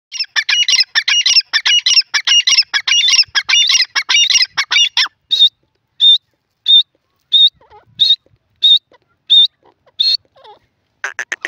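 A francolin gives a fast, harsh run of squawking notes for five seconds, then a series of spaced, high, clipped notes about every two-thirds of a second.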